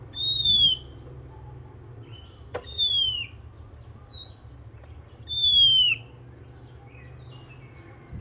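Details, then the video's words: Morning song of an oriental magpie-robin, said to prompt other magpie-robins to join in: loud, high, downward-sliding whistles spaced a few seconds apart, mixed with shorter softer notes and one sharp click, over a steady low hum. "kicau kacer dipagi hari mampu merangsang kacer lain ikut bunyi"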